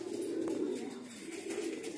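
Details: Pigeons kept in a loft, cooing indoors: a steady low, soft murmuring coo holding throughout, with faint rustling above it.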